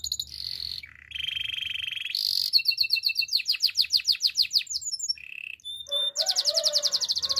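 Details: Spanish timbrado canary singing a training song: sustained buzzy trills switching pitch, fast runs of sharp downward-sweeping notes, brief high pings, a short lower rolling trill and a closing rapid repeated high note series, clean background.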